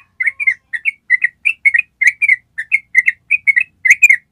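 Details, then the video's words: Yellow-vented bulbul singing a long ropel, a trilling style, as a master recording for training other birds: a run of short bubbly chirped notes in quick pairs and triplets, with brief gaps between phrases and no other sounds. "SUARA TRUCUK ROPEL PANJANG"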